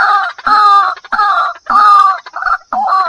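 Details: White-breasted waterhen used as a bird-luring sound: loud, harsh, nasal calls with rich harmonics, each about half a second long, given in a quick repeated series with brief gaps between them.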